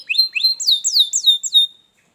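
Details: Brief canary phrase played to get a lazy canary singing: a few rising notes followed by loud, clear downward-slurred whistles in a quick series, then silence.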